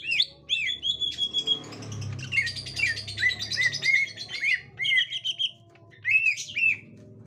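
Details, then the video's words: Green leafbird, a gotri-type bird meeting a young wild green leafbird, giving bright chirps, sweet whistles and down-slurred notes in loose bursts, with a low hum underneath. "Tingkah Cucak Ijo Gotri Saat Di Temukan Cucak Ijo Muda Hutan"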